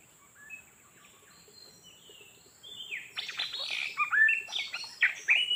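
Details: Oriental magpie-robin, a wild bird being trapped and described as fierce; faint scattered whistles at first, then a loud burst of quick varied whistled phrases and sharp chips over a constant high hum.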